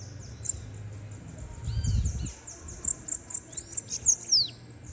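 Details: Bananaquit song: one burst of six quick, piercing high notes ending in a wheezy downward slur, preceded by softer thin slurred notes and a brief low thumping noise.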